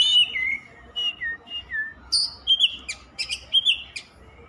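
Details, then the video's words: Oriental magpie-robin (kacer) singing: a run of descending slurred whistles followed by rapid chips and higher whistled phrases, lively and varied, with light background noise. "Suara kacer_kicau mania yang sllu bunyi gak mau berhenti."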